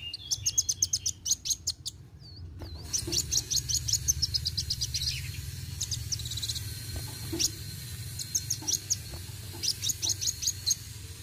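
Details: Sunbird (kolibri wuling) singing energetically: bursts of rapid, very high, sharp chips and short rattling trills, repeated in quick runs over a steady low hum.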